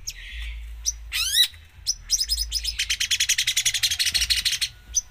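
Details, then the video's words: Long-tailed shrike singing vigorously, its song filled with mimicked phrases: a short high warble, a rising sweep of stacked notes, then a long fast rattle of sharp clicking notes lasting over two seconds, ending with a brief high note. "cendet gacor full isian"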